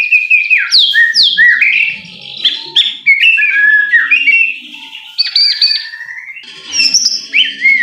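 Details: White-rumped shama singing as a lure to stir another bird into song: loud, rapid sequence of rich whistles, slurred up-and-down notes and bright chips, with brief pauses between bursts.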